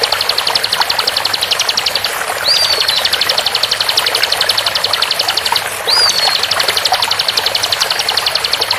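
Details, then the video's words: Bar-winged prinia song used as a master recording for training captive songbirds, set over running water; fast, even train of high clicking notes, with a short down-slurred whistle twice, continuous water-like wash underneath. "MASTERAN SPEED RAPAT DENGAN SUARA AIR MENGALIR | TEMBAKAN CIBLEK"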